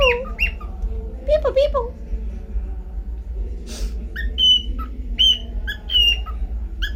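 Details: Talking pet cockatiel gives rapid squeaky, harmonic syllables, then a brief breathy noise, followed by a series of clear whistled notes repeated about every half second, with a steady low hum underneath.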